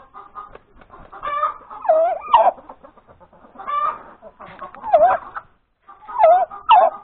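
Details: A hen cackles after laying her egg, breakfast time on 31 January 2021: soft quick clucks build into loud, wavering drawn-out squawks, repeated in bursts roughly every two seconds with short pauses between.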